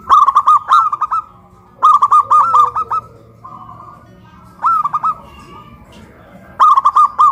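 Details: Pole-hoisted local zebra doves in Kuningan, West Java, a big-voiced and a crystal-voiced bird, duet with loud cooing. Four bursts of fast, clipped coo notes come about every two seconds, with quieter coos between them.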